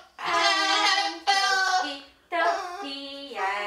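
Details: An umbrella cockatoo, one of a pair (8-year-old male, 5-year-old female), repeats a voice-like greeting "hello" three times in quick succession, each a rich, nasal, slightly rising phrase in an indoor room.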